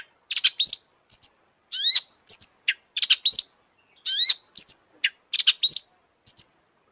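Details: Long-tailed shrike in vigorous excited song: clipped high chips alternate with rising buzzy sweeps, repeated in quick groups with short pauses between them.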